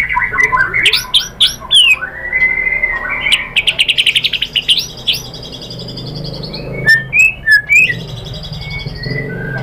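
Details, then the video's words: White-rumped shama singing a lure song meant to stir other shamas to sing their full repertoire: varied loud phrases of clear whistles, sharp chips and fast buzzy trills, with brief pauses between bursts. "MURAI BATU Langsung NYAMBER EMOSI BONGKAR MATERI ¦ PANCINGAN MURAI ¦ SHAMA BIRD"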